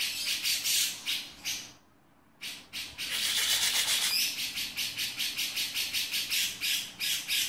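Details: Grey-cheeked bulbul, male, sings in 'beset' style: a rapid series of hoarse, rasping notes, then a second-long silence, then a faster, denser run of harsh pulses.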